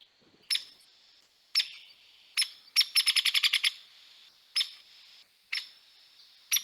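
Hairy Woodpecker: sharp, high 'peek' notes every second or so, with a quick rattled burst of about eight notes in the middle. A faint steady hiss runs underneath.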